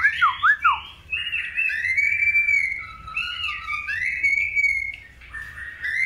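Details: Long-tailed white-rumped shama, paired for breeding, opens with quick looping whistles, then sustained melodious gliding phrases with rich overtones, rising and falling, and a soft dip before a final rising whistle.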